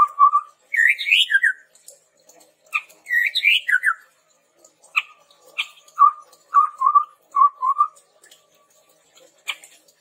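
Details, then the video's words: Chestnut-rumped babbler song used for tutoring and luring birds: repeated high slurred whistle phrases, then a series of low paired whistled notes, plus scattered sharp ticks in a quiet background. "SUARA PANCINGAN BURUNG TEPUS TUNGGIR MERAH GACOR COCOK UNTUK MASTERAN"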